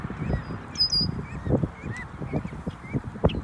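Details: Adult geese being protective: a run of short nasal honks with bent, rising-then-falling notes spread across a few seconds, mixed with low thumps and rustling, and brief high chirps from small birds behind.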